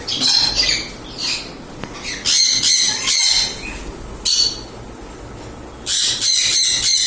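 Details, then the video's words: Harsh, grating squawks from a mealy amazon parrot in four separate loud bursts, each about half a second to a second long, with quiet pauses between. "Mealy Amazon Parrot."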